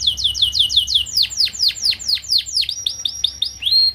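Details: Canary song for training young canaries to sing: a repeated series of loud descending whistled sweeps, about four per second, slowing slightly, ending with a brief rising note.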